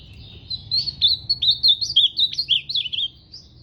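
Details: One lively ultramarine grosbeak phrase of about a dozen rapid, slurred whistles rising and falling in pitch, sung clearly over a quiet background.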